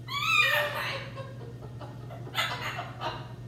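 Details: A pair of vocal pet macaws indoors give a loud, downward-sliding harmonic call, then two short raspy screeches, with a constant low hum in the room.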